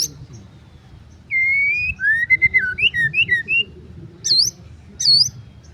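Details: White-rumped shama, a kept songbird, giving clear whistled phrases: a long rising whistle, then looping slurred notes, followed by two sharp high upswept notes after short pauses; low background hum throughout.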